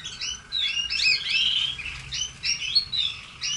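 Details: A red canary sings clear high phrases: quick rising chirps, a short buzzy trill in the middle, then spaced upswept notes repeated a few times a second, over quiet background.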